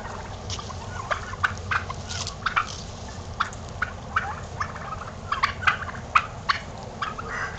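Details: Strutting pet turkeys produce a dense series of brief, crackling bursts, some doubled, coming roughly every half second against constant low background hum.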